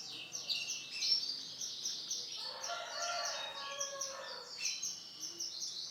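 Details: Orange and black male canary in full song, an unbroken stream of high rolling trills and quick chirps, with lower warbled notes in the middle.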